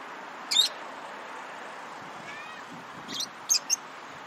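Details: Lovebirds, which chirp when playing, eating or excited, give a few brief high squeaky chirps: a single one near the start, then a quick cluster of three after a long pause, all over a steady background hiss.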